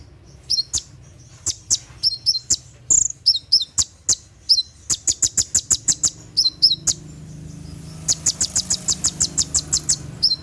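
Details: Olive-backed sunbird (konin) at night giving its rapid 'tembakan' burst song, used to train caged birds: sharp, very high chirps and clicks in quick runs, with a dense volley of evenly spaced ticks near the end.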